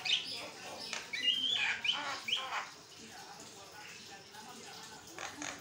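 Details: Javan myna (jalak kebo) singing continuously, a master recording meant to prompt other mynas to answer and sing; harsh broadband chattering notes with a few thin whistles in the first half, then quieter, sparse bursts.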